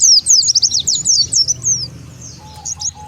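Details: Lure sound meant to gather wild Oriental white-eyes: a fast run of high, wavering chirps fading after two seconds, followed by softer scattered twitters and a faint low hum.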